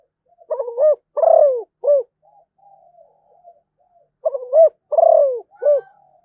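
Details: Song of a Malaysian zebra dove: staccato, rippling coos running into a longer falling note and a short final coo, a low murmuring tail, then the same phrase again.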